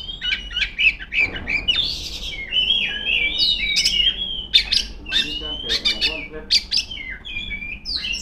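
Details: Female Oriental magpie-robin singing to rivals: lively mix of whistled glides, buzzy chatter and sharp chip notes, with a faint low sound underneath.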